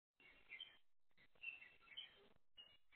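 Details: A pair of crested mynas calling to each other while one eats and the other keeps watch: faint, harsh, chattering calls in short bursts.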